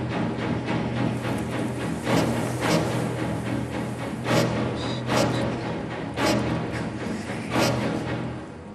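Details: Dramatic orchestral music with deep timpani rolls and swelling strings; no animal voices can be picked out.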